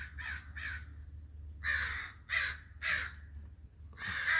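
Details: Crow calls: two softer caws, then a run of loud, grating caws spaced roughly half a second apart, ending on a long harsh note.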